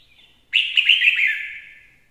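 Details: Red-whiskered bulbul singing a song presented as a proper lure: after a brief quiet start, one loud, rich, warbling phrase of about a second and a half, bright and slurred, fading gently at the end, with no other clear sounds.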